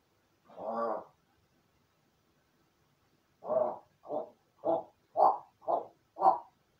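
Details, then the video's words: Kept indoors in a crow room after a spell of solo play, a crow practises its calls: one rough caw, a pause of two seconds, then six short hoarse caws in a quick, fairly even run. "一人遊びの後 鳴き声と喋る練習"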